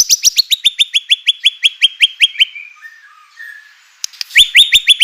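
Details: White-rumped shama singing to goad other shamas into answering: a long series of quick, evenly spaced rising notes, a brief soft low warble and pause, then the rapid rising notes resume.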